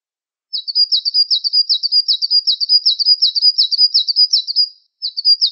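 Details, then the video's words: Java sparrow, Wingko variety, in song used as a training recording: a continuous rolling chain of fast buzzy chirps, nearly three per second, broken by one short gap near the end. "Gelatik Wingko SMART MASTERING"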